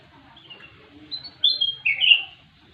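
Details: Black-crested bulbul (kutilang emas), an eager, chatty songster: a brief phrase of clear whistled notes, mid to high pitched, with a few short slurred slides that grow louder toward the end, over a quiet background.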